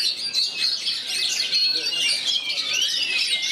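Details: Oriental magpie-robin with three rival magpie-robins nearby, performing in kerayu style: an unbroken stream of sharp, high twitters and short whistled slurs, several voices interleaved.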